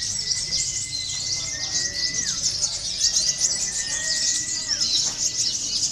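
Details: Local Konin (brown-throated sunbird), used as contest-training playback, sings a dense, high, rapid twittering chatter without pause; a steady thin whistled tone recurs twice in the background.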